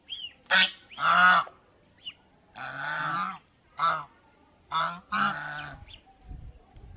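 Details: Several domestic geese calling at an aquarium park in Mysore, India: brassy, rasping honks, some drawn out, others short and abrupt, coming in irregular bursts with brief pauses.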